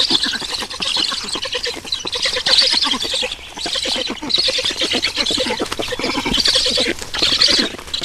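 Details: Feeding at a black stork nest in Estonia, 18 June 2019, mid-morning: steady, hoarse, wheezy chattering with a rough lower buzzing layer running underneath, rising and falling in intensity.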